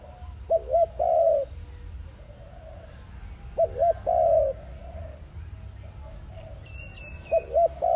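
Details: Trapping lure sound of an ARIMIX dove: three coo phrases spaced about three seconds apart, each two short hooked notes followed by a longer steady coo, over faint background hum.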